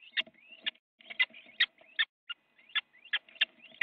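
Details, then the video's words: Fight between little owls in a Dutch nest box, live camera, 8:42 a.m. on January 8, 2017, one owl biting another; rough screechy calls and snapping clicks, about two and a half per second. "Little Owl - fight in the nest box an Owl has bitten the another"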